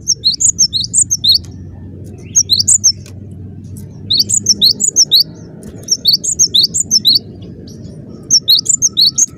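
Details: Cinereous tit in dense, lively song, repeating short bursts of quick high whistled two-note figures about every two seconds, five bursts in all, over a continuous low hum.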